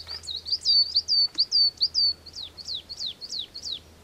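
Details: Coal tit singing a clear, high series of thin whistled notes, each sliding downward, repeated evenly about twice per second, with a faint low hum behind.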